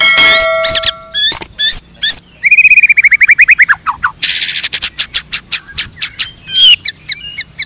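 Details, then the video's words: Caged white-rumped shama of the blorok type in full varied song: sharp clicks and a sustained whistle, a rapid falling series of whistled notes, a harsh buzzy burst, then evenly spaced high ticking notes and warbled phrases. "MURAI BLOROK NEMBAK SUJUD"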